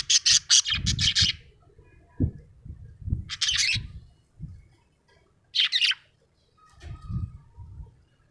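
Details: Happy budgerigar chirping in short bursts of bright, scratchy high chatter, three clusters spaced a few seconds apart, with low rumbling handling or rubbing noises between them.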